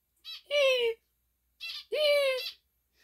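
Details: Male zebra finch gives nasal, harmonic-rich beeping calls in pairs, answering its owner's repeated spoken 'E'.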